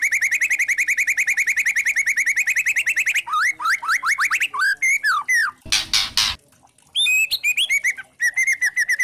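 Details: White-rumped shama, trotol form, singing a lure meant to stir other shamas: a fast rattling series of repeated notes, then varied rising and falling whistles, broken by a short harsh noise burst before the whistled phrases resume.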